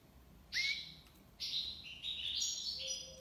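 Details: European goldfinch singing a song in the tiwawati style: short buzzy, trilled phrases high in pitch, starting abruptly with a bright twittering burst, then a few quick rising notes and a faint low whistle near the end, over steady background hiss.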